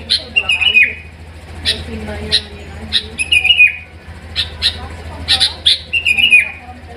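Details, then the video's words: Sooty-headed bulbul giving short whistled phrases that slide downward, repeated roughly every second, interleaved with sharp clicky chirps over a low steady hum. "BURUNG KUTILANG"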